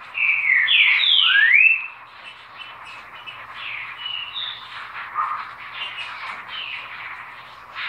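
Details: Green-winged saltator opening with a strong run of fluid whistled notes swooping up and down for nearly two seconds, then quieter scattered whistles among a background chorus of other birds.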